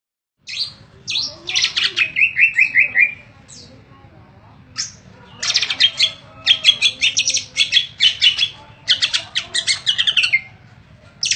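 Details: A caged Greater green leafbird kept for song contests sings a loud, varied run of harsh chattering bursts, sharp squeaky notes and a quick falling whistled trill, delivered in dense repeated phrases.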